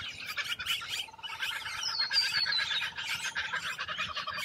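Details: Rainbow lorikeets feeding in Australia: a dense, overlapping chatter of shrill, screechy notes that runs without a break, with a steady, lower pulsing rattle beneath through the middle.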